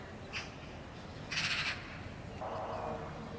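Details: Eurasian magpie with a short, scratchy burst of noisy chatter near the middle, a brief squawk just before it, and a lower, rougher rasping sound toward the end over steady background noise.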